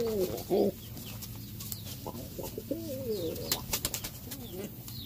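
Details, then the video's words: Territorial Cuban Pouter pigeon males fighting over a nest: low, wavering moaning coos that bend up and down, one burst at the start and a longer one after three seconds, amid sharp wing-claps and scuffling, with faint chirps of other birds. "Territorial Cuban Pouter Males Fight For Nest"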